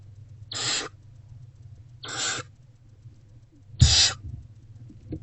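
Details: Hungry barn owlet in a nest box eating a rodent, 29 February 2024, just after 1 pm: three harsh, hissing screeches, each about a quarter second, spaced roughly one and a half seconds apart, over a low steady hum.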